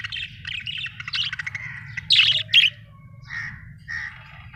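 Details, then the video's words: Happy budgerigar chirping: a rapid ticking chatter of quick notes, two loud harsh squawky chirps, then softer rounded chirps spaced apart, with a faint low hum behind. "Happy budgie chirping sound"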